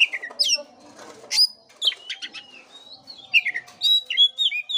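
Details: Oriental magpie-robin song played to stir a listless caged bird into singing: varied whistled phrases and slurred notes between 2 and 8k, mixed with sharp chirps and short rasping bursts, loud and irregular.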